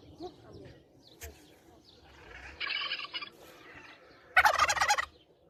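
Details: Turkey trying to compete, giving two short, rattling gobbles about two seconds apart, the second louder and harsher, over quiet background sounds and faint clicks.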